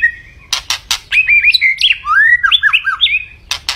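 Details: Vigorous song of a white-rumped shama: a clear opening whistle, sharp harsh bursts, then a rapid varied string of looping, rising and falling whistled phrases, ending with more rasping notes.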